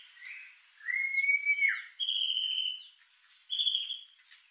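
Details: White-rumped shama song used as a lure to stir emotion and breeding drive: rich whistled phrases, a long sliding note then steady clear tones and a final whistled burst, over faint background hiss.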